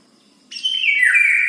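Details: Bird asking for food at breakfast, as it does every morning: one drawn-out, harsh, slightly descending chirp begins after a brief quiet start and holds steadily to the end.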